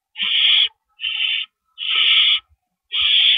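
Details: Nest of owls at night, April 4, 2012, while adult birds deliver and remove rabbits. Four drawn-out, breathy screeches, each over half a second long, with brief quiet between them.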